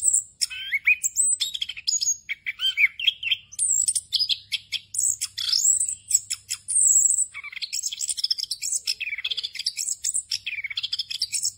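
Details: Extended ngerol song of an orange-headed thrush, also called anis cacing: dense, continuous torrent of chirps, swooping whistles and rapid rattles spanning low to very high pitches, with a soft hum behind.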